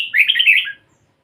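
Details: Single quick warbled phrase from a pied-headed red-whiskered bulbul, a burst of bright, tumbling chirped notes lasting under a second, then silence.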